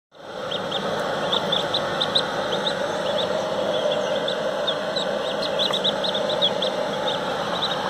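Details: A Pekin duckling hatching from its egg and breaking out of the shell gives many small high peeps, scattered and overlapping, over a steady machine-like hum.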